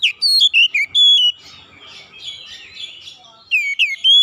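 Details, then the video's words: Oriental magpie-robin calling with strong, pure whistled notes sliding down and up, a soft twittering passage in the middle, then a fresh run of loud whistles. "KICAUAN KACER MEMANGGIL"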